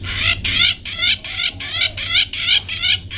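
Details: Long-tailed shrike in the 'toet toet' song style, recorded for training pet birds: fast series of harmonic, slightly wavering notes repeated about three times a second with short gaps, over a low background hum.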